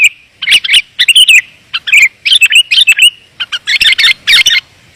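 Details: Sooty-headed bulbul lure call for attracting wild birds: dense, clear chirping, bright slurred notes in close, irregular bursts with short pauses, loud and with little background noise.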